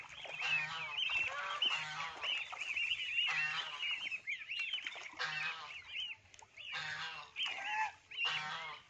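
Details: Lion-head geese, a swan goose breed kept as breeding stock in Hau Giang, Vietnam, honk loudly in harsh, nasal bursts, several birds calling over one another.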